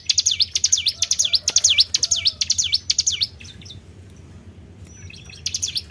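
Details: Lure sound of a Tribel bird for drawing in other birds: quick pairs of high swooping chirps, dipping and rising, strong for three seconds, then quieter scattered notes with a low background hum.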